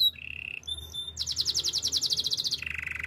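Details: Spanish timbrado canary song for training: a low steady trill, a short high note, then a loud pulsing high trill dropping into a lower buzzy rattle.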